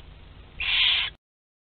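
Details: A single harsh, hissing rasp lasting about half a second from barn owl nestlings two to twelve days old at a group meal, Théding, France, 29 April 2021, ending abruptly.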